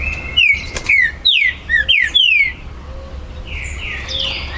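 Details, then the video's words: Territorial song of a captive Green-winged saltator at a Brazilian breeder's site, September 2020. A rapid string of clear whistled notes, each sliding downward, opens the recording. Softer chirping from other birds continues afterward. "ESQUENTE MUITO seu TRINCA FERRO"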